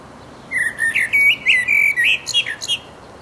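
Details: Mating song of a resident blackbird singing in full voice: a run of about nine quick, slurred whistled notes, each topped by thin high squeaky overtones, delivered in a rapid, uneven stream.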